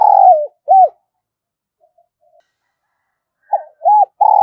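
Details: Spotted dove, a decoy bird prompted to coo continuously in the giọng thổ style; the end of one coo phrase, a silent gap of over two seconds, then a new phrase of short arched hoots leading into a long coo.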